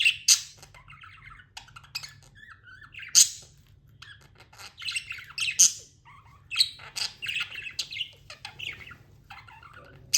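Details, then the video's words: Tamed pet budgerigar chirping: bright, sharp high chirps and short warbled phrases scattered across ten seconds, with a few loud piercing notes near the start, middle and end, over a faint low hum. "budgie chirping sounds"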